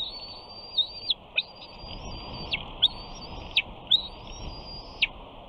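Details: Nest-bound bald eaglet at Big Bear, late June 2019, begging for fish though already fed, while its father sits on the front perch branch. Several long, high, level whistles, each closing with a steep falling slur, come about once a second.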